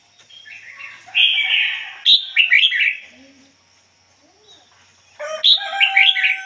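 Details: Red-whiskered bulbul decoy sings a 'ngoi bổi' song with a clean voice. Two rich, rollicking phrases of five or six rapid liquid notes are split by a quiet gap of about two seconds.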